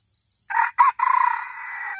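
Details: Red junglefowl crowing during decoy luring of wild junglefowl with a newly trained bird meant to draw in a whole flock: two short clipped notes, then a longer sustained, slightly falling note, loud against a quiet background with faint insect hum.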